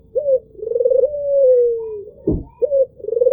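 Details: Albino Barbary dove delivering its soft two-part coo, a quick clipped note then a long trilled coo drifting lower, interrupted by a single dull thump.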